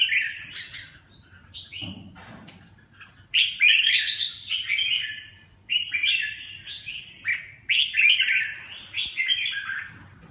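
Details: Red-whiskered bulbul opening with soft scattered chirps, then breaking into loud, repeated, fluty warbled phrases.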